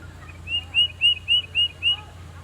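A Tufted Titmouse sings a quick run of six clear, high whistled notes, about four per second, like 'peter peter peter', over a faint low hum.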